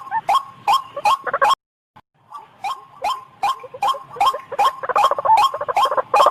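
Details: White-breasted waterhen calling as a lure for trapping: rhythmic rasping notes, a brief silent break after one and a half seconds, then the croaks resume and build into a denser, overlapping chorus.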